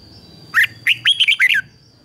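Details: Decoy red-whiskered bulbul calling wild birds to fight: a single short, lively phrase of five bubbly, rising and falling whistles lasting about one second.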